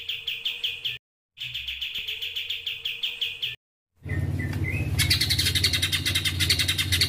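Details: Murai batu (white-rumped shama) song combination in spliced segments: quick repeated high notes broken by silent cuts, then a few rising whistles and a dense, buzzy chatter over a low rumble.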